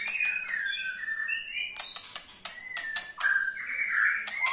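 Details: White-rumped shama ketrekan, meant to set other shamas singing, softer and somewhat muffled: wavering whistles broken by crisp clicking rattles.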